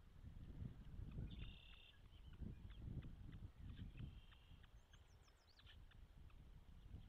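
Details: Osprey at its nest in Charlo, Montana, on the day the first egg hatched, caught by a nest camera: high thin whistled notes, one held briefly, then short chirps, over heavy wind rumble.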